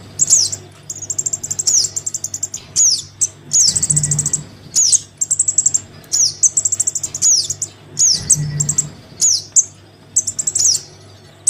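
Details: Crimson sunbird nestling calling to its parent, used as a lure: steady series of high buzzy trills and sharp falling notes, groups recurring irregularly, with occasional low humming in the background.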